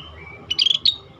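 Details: Scaly-breasted bulbul, described as rare and singing steadily, recorded as a tutor track for songbirds: a quick bubbly burst of high chirping notes lasting under half a second, then a short two-note ending, over faint low hum.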